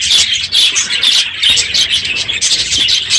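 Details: Many budgerigars in an aviary at the end of the breeding season, unusually loud in the morning: a dense, continuous chorus of high chirps and warbling chatter from overlapping birds.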